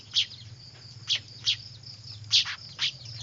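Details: Noisy weaver chicks, used as a lure: five sharp high chirps about half a second to a second apart, over a faint low hum and a thin high tone.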